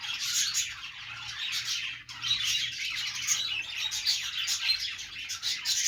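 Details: Parakeets at play fill the air with nonstop high twittering and scratchy squawks, a thick layered chatter with brief louder peaks and a short lull near the middle.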